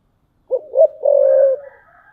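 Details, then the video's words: A single coo phrase from a spotted dove kept as a tree decoy: two brief low notes leading into one long, level, mellow coo that fades out. "chim cu gáy mồi cây"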